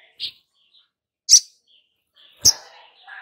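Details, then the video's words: Long-billed spiderhunter lure sound meant to get a freshly caught bird singing: three isolated, piercing high chips about a second apart, with faint twitters between them. "Pancingan SOGON BAKALAN agar Cepat BUNYI dan GACOR || Pancingan Sogok Ontong agar NGOBRA"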